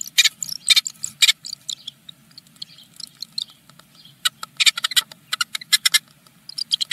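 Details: Eurasian blue tit nestlings, among the first hatched of a ten-egg brood in Germany, give thin, very high, scratchy cheeps in rapid frantic bursts during morning feeding, a brief lull, then another excited flurry, over a faint low hum.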